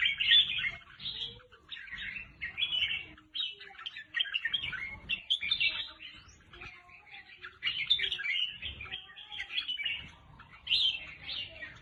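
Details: Red-whiskered bulbul song played to excite caged birds: a continuous run of bright, warbled, chattering phrases, fairly quiet, with faint low background noise throughout.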